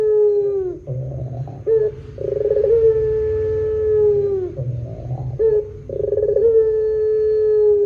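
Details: Lure recording of a pelung Barbary dove: two long level coos, each preceded by a pulsed rolling lead-in and broken by deep rumbling purrs, over a steady low background hum.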